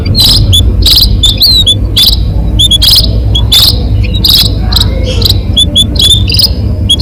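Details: Munia calls used to lure birds. Thin, high peeps, some with a quick upward flick, are repeated about twice a second against strong crackling and a loud low hum.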